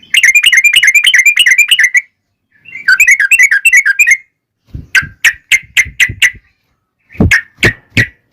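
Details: Yellow-vented bulbul in long rolling fighting song played to draw answers from other bulbuls: two fast bubbling trills of about two seconds each, then a series of sharp separate whistled notes with brief gaps.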